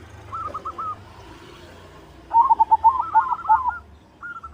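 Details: Song of a white zebra dove meant to excite other doves' singing and breeding mood: a faint rolled coo, a pause, then a loud run of quick, bouncing staccato coos and a final short note, over steady low hum.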